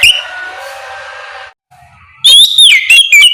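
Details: Ngeplong song of an oriental magpie-robin at morning, played to draw answers from other magpie-robins: a faint murmur, a brief silence, then a loud, clear run of swooping whistles.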